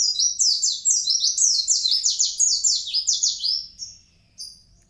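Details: Mountain white-eye from Kintamani in vigorous 'gacor' song: a loud, rapid string of high, downslurred twittering notes, about eight per second, then a fading tail and one last chirp.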